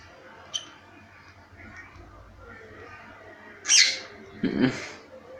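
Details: Cockatiel in Belo Horizonte: quiet background with a faint chirp, then a loud raspy screech near the end, quickly followed by a second harsher burst.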